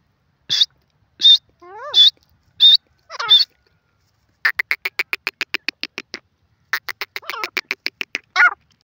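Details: Grey francolin calling: several loud, high, clipped notes, a few with rising ringing tones, then a fast run of short sharp notes repeated in quick series, a pause, and another rapid run ending in a ringing note.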